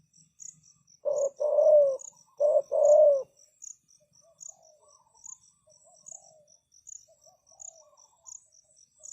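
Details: Decoy spotted dove calling to attract wild doves: a burst of two throaty coo pairs, a clipped note followed by a drawn-out sinking coo, then quieter scattered notes over a constant high-pitched insect ticking.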